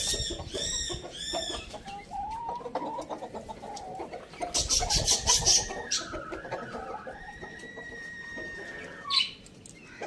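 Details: In the morning a rooster lets out a long, wavering crow that stretches across most of the recording. Chirping birds are heard at the start and a brief sharp knock near the end.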